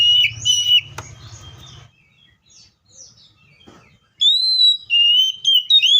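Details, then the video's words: Seychelles magpie-robin singing loud, clear whistled phrases, a burst of rising and falling notes at the start and another run of sliding whistles after a pause, with a low hum early on and a single sharp click. "COPSYCHUS SECHELLARUM BIRDS SOUNDS LIKE IN NATURE LOUD CLEAR SOUNDS"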